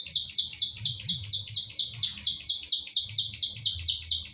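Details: Training recording of the recordist's own pied bushchat in Central Java, made with an Infinix Hot 9 Play phone: shrill, clipped notes repeated regularly about two per second, soft low rumble in the background.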